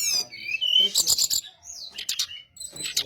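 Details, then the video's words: Lure song of a brown-chested jungle flycatcher, meant to make others respond. High sliding whistles, then clusters of sharp scratchy notes and a short upward whistle, with faint low background sound. "SRDC Sikatan Rimba Dada Coklat - Pancingan untuk SRDC lain pasti nyaut"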